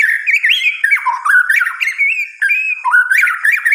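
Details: Night song of a white-rumped shama, a continuous rich warble of sliding, looping whistles that rise and fall rapidly, broken by a brief pause before the varied phrases resume.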